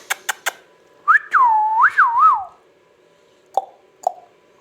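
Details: Caged ringneck parrot whistling a clear tonal phrase that rises, then dips and swoops twice in a wavy line, preceded by three sharp clicks and followed by two soft taps in a quiet room.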